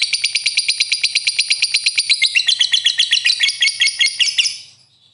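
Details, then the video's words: Lovebird in full chatter: rapid harsh, scratchy notes pulsing steadily about three times a second, growing louder midway, then fading away at the end. "lovebird gacor sekali"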